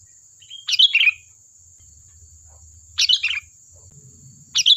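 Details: Sooty-headed bulbul singing busily as a lure for other birds to reply: three short, chattering warbled phrases about two seconds apart, with a low rumbling background and a thin steady high whine.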